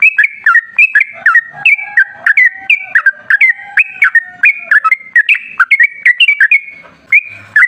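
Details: A lure recording of a sooty-headed bulbul in lively wild-style song, meant to make other bulbuls answer: repeated short whistled notes with sharp downward slurs, plus a fainter low drawn-out whistle beneath part of the phrase.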